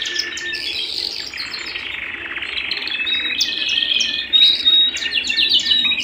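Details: A canary singing at home: a continuous, high, loud song of rapid rolling trills and buzzy chattering phrases, with sharp whistled notes that grow louder toward the end.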